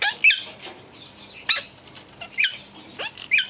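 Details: Pet parrot presented as talking, giving a few sharp high squawks with downward-sweeping tones, spaced irregularly about one second apart, in a quiet indoor setting.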